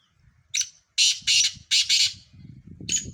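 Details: Black francolin calling a loud harsh phrase of rasping notes, a single note then two quick pairs, with a final note trailing off over low rumbling background noise.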